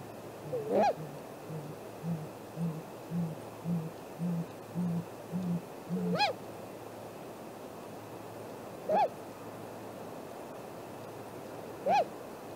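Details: Great grey owl at its nest at 7:15 am on 2 April 2018, on a nest camera: a deep series of about ten soft, evenly spaced hoots, about two per second, with higher rising whoop-like calls every three seconds.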